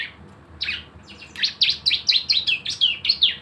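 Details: Javan white-eye in active rapid-fire 'nembak' song used as a lure: soft opening notes building into a fast string of high, buzzy-edged chirps, about ten in two seconds.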